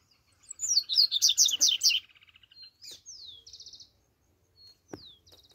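A Double-collared Seedeater sings a fast, high jumble of chirps and buzzy trills, then adds clear, downslurred whistles and short rattling notes.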